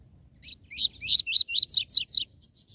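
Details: Seedeater song of the TUI TUI ZEL ZEL type, meant to fire up captive coleiro and papa-capim: a quick series of about eight bright, rising-then-falling whistled notes in a steady, rapid rhythm, with little background noise.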